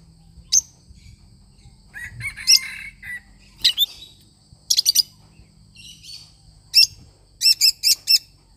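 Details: Lovebird parrot giving a lively run of high, sharp chirps and squeaky notes, some in quick bursts of three or four, with brief scratchy warbles between; faint low hum behind.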